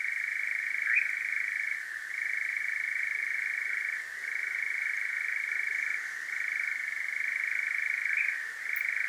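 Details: European nightjar churring at night in Devon, England, captured with a parabolic microphone; a long, steady mechanical reeling with regular slight pitch drops about every two seconds.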